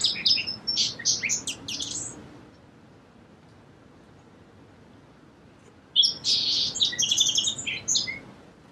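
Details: Two songs from a song sparrow, each a fast burst of sharp high chips and buzzy notes about two seconds long, separated by roughly three and a half seconds of quiet.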